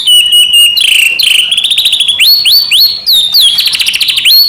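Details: Medan white-rumped shama singing nonstop with full filler phrases, a lure to rouse other shamas; sustained piercing whistles, sharp upward sweeps and fast buzzy trills in quick succession.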